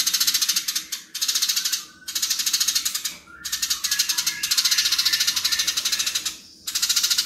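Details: Fighting house sparrows give long bursts of very fast, dry rattling chatter, each pulse sharp and buzzy. The bursts are split by brief gaps, with a few thin slurred notes between them.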